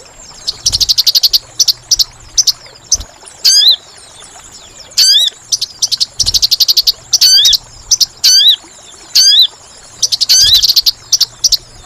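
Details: Trapping lure of a sogon, or sunbird: dense runs of rapid high chirps and sharp hooked whistles, cycling every second or so with few gaps, clear against faint hiss.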